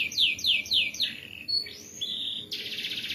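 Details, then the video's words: Canary in loud 'gacor' song used as tutor material: four crisp descending sweeps in quick succession, a brief high whistle and a gliding note, then a continuous harsh buzzing roll to the end. "MASTERAN BURUNG KENARI GACOR NGEROLL RAPAT"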